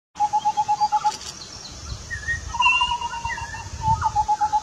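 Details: Indian scimitar babbler, an endemic of the Western Ghats, India, singing while hopping around a coral tree (Erythrina): quick runs of mellow, hollow hoots on one steady pitch.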